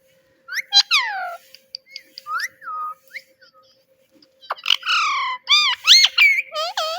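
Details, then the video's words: Talking pet parrot repeating "Mitthu"; an opening burst of curved harmonic notes, a few soft whistled slides, a pause, then a rapid run of loud, arching, word-like syllables at the end. "Parrot Talking “Mitthu Mitthu”"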